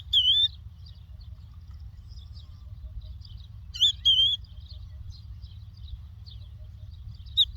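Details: Lark from the Doukkala region giving loud, looping whistled phrases, one at the start, a double phrase near the middle and one at the end, with faint chirps between and a quiet low hum.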